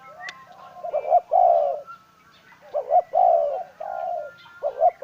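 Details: Decoy spotted dove giving deep, mellow coos in short phrases of paired and drawn-out notes, separated by brief pauses. A faint high tick sounds near the start, and the background is otherwise quiet.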